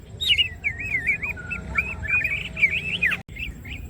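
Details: Greater green leafbird gacor with open wings, delivering a fast continuous warble of twisting whistled notes, loops and slides, ending with a few short phrases after a brief break.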